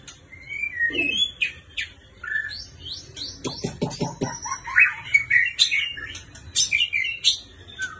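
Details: Song of a white-rumped shama from a neighbouring country, with varied whistles, quick upslurred notes, a burst of clicking pulses midway, and bright rich warbles near the end.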